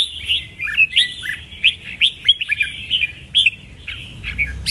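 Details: Caged red-whiskered bulbul delivering lively song: clipped whistled notes and sharp upslurred chirps in quick bursts, roughly two or three per second, with brief pauses between phrases.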